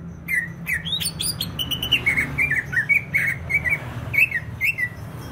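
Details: Greater green leafbird from Banyuwangi, East Java, singing energetically: a rapid series of short slurred whistles and chirps, many notes repeated in quick succession, interspersed with sharp high clicks over steady low hum.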